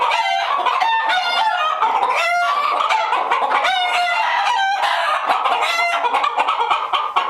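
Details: A coop full of alarmed hens cackles nonstop, sharp squawks and short descending cries layered over a thick background of many clucking birds.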